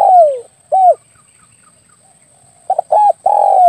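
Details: Spotted dove lure call for attracting birds when hunting with an air rifle. Low, falling coos, then after a pause a quick stuttered double note and a long drawn coo, with a steady high whine in the background.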